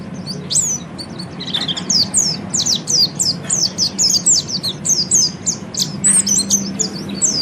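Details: Oriental white-eye used as a training bird for the ngeriwik style delivers a continuous, rapid chain of high, downslurred whistled chirps, loud and evenly spaced, above a low hum.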